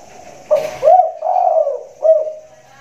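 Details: Spotted dove known for its loud voice, performing in a hanging cage in the rainy season: a brief rustle, then a phrase of four deep, hollow coos, the long middle note sliding down, the final one clipped.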